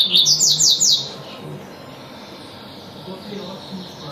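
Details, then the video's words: A single quick tui-tui phrase from a double-collared seedeater: a short burst of high, rapidly repeated sweeping notes lasting about a second, followed by near silence with a low hum. "coleiro tuitui"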